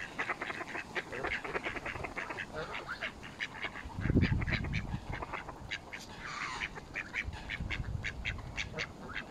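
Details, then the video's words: Feeding mallards mixed with Canada geese at Smith's Pool, Stoke on Trent, UK, 21 November 2021, filmed on a mobile phone: a steady stream of brief nasal calls from many birds, with a low thumping noise midway. "Mallard Duck and Canadian Geese Feeding Frenzy"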